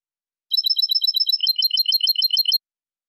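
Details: European goldfinch, cantada enlazada dos cambios style linked song: two seconds of bright rapid trilling, a steady high twitter that changes at the halfway point into a slightly lower, fuller rolling trill, then stops. Clean, with no background.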